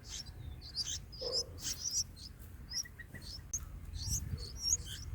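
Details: Bulbul nestlings being fed in the nest, giving thin, high chirps in irregular bursts, some sharply rising, scattered through the clip among soft rustling and a brief lower note.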